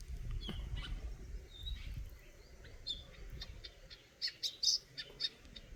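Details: Eurasian nuthatch chirping: scattered short high notes early on, then a tight burst of sharp, bright chirps in quick succession near the end, over a soft low rumble.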